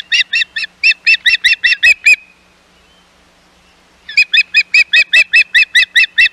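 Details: Ospreys at the Hog Island nest on 11 May 2021, with intruding ospreys around: rapid series of clear, whistled chirps, about nine in two seconds, a two-second pause, then another even run of about ten.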